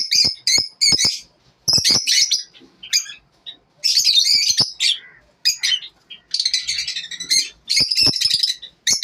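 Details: Morning chatter of lovebirds: shrill squeaky chirps and rasping high notes in bursts of about a second, with short pauses between bursts and a steady quick rhythm.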